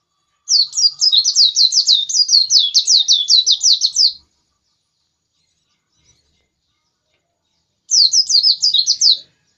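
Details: White-eye pressing its song: a rapid high twittering run of nearly four seconds, a pause of several seconds, then a shorter burst of the same quick chirps.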